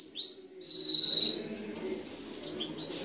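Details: Canary: an upslurred note leads into a sustained high trill, then sparse short chips.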